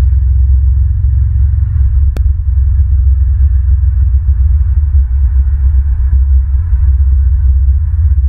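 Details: A heavy, low droning rumble with constant throbbing continues throughout, broken by one sharp click, and no animal voices.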